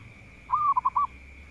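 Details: A single cooing phrase from a local zebra dove singing keenly to draw out rivals: one longer note, then three short staccato coos, over a quiet steady hum.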